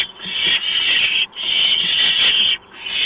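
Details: Barn owl at a nest, recorded at 4:26 in the morning on 6 March 2015 as a mouse is brought in; a steady, harsh, high hissing runs almost unbroken, with two brief pauses.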